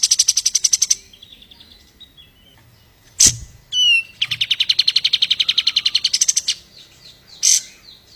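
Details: White-eye rapid-fire master song: extended fast trill of even high notes, pauses with soft descending twitters, a few sharp clicking bursts and short warbled notes between trills.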